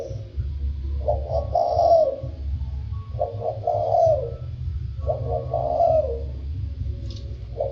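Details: Spotted dove in the "thổ sâm" voice style, cooing in three phrases about every two seconds, each a soft stuttering lead-in rising to a fuller hooting note that falls away; steady low rumble underneath.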